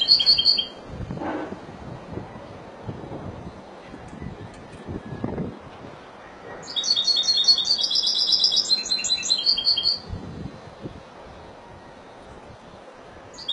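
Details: Spanish goldfinch from Málaga: a brief twitter at the start, a long quiet gap with soft low noises, then a lively three-second stretch of rapid, tinkling, buzzy trills before another pause.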